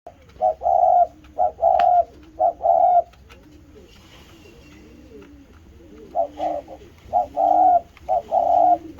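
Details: Spotted dove calling after seeing its mate: two bursts of loud, short, flat hoarse notes, about four per burst, separated by a quiet gap of soft, low arching coos.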